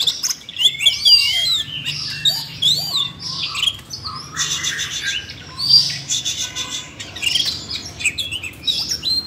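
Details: Siberian rubythroat, caged, prompted to sing by training audio meant for a young bird: varied high warbling phrases of whistles, slurred notes and quick chirps, almost continuous, with faint low hum.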